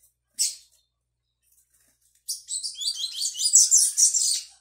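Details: Double-collared Seedeater in brown plumage learning the tui tui song, recorded 22/05/22: a lone sharp chip, a pause, then a long fast tumbling run of high twittering and buzzy notes.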